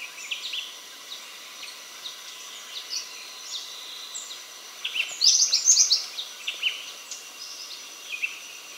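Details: Bar-winged flycatcher-shrike singing a brief run of rapid, high, bouncing notes midway, surrounded by fainter scattered high chirps and calls over constant background hiss.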